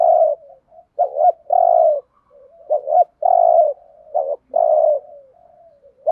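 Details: Repeated 'thúc gù' cooing from a spotted dove in the 'giọng Thổ' voice style, played as a trapping decoy: a steady run of short double notes, each followed by a deep sustained coo, about four phrases.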